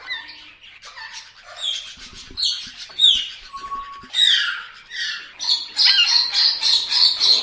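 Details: Indian ringneck parrot chattering with bright, clipped chirps and short squawks, then a steady run of high, shrill repeated notes at the end.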